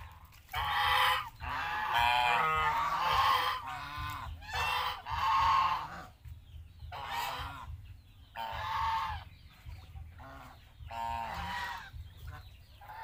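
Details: Farm geese in Asia calling with loud, raspy honks in clustered bursts separated by brief quiet spells, the calls overlapping at times and fading toward the end, with a constant low rumble underneath.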